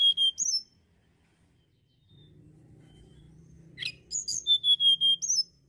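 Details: Sunda blue robin song, opening with high whistled notes, then a low droning hum, then a lively phrase of quick repeated high whistles ending in a rising note.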